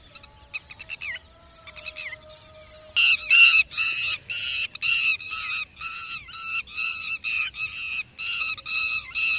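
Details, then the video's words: Red-wattled lapwing calling: loud, strident, rasping notes repeated in a fast insistent series of about three per second, after a quieter opening of a few stuttered shrill bursts over a faint steady tone. "tatiri bird! red wattled"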